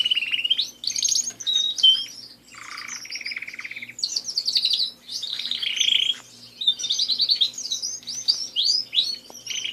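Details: Pet canaries in continuous song: loud rolling trills, a lower buzzy segment, and rapid sweeping whistled notes in quick succession.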